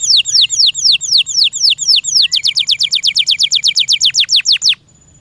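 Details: Captive canary sings slow looping whistled notes that speed into a rapid run of rising-falling notes before stopping abruptly.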